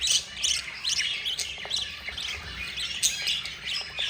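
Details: Budgerigar chicks, four of them, begging as their yellow mother feeds them, with short raspy squawks repeated roughly twice a second in uneven rhythm.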